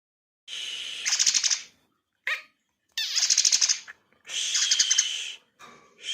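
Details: Javan myna singing a song filled with learned house sparrow phrases: harsh, buzzy, rapidly pulsed bursts about a second long, broken by short chattering notes, with silence between phrases.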